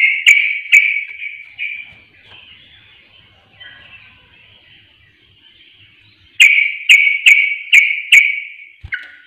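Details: Sooty-headed bulbul lure sound meant to stir other birds: a few bright chirps, a long soft warbled passage, then a quick series of five loud bubbly notes with clicks.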